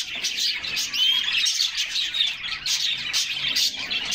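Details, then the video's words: Summer bath time for a group of canaries, heard as a thick chorus of high, fast trills with a few sweeping whistled notes standing out near the start. "Canaries Singing and Splashing in a Refreshing Bath"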